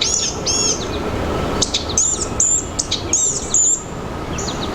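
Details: Blue-gray gnatcatcher in forest, giving a few thin, very high, slightly buzzy notes in short groups against a constant low rumbling background.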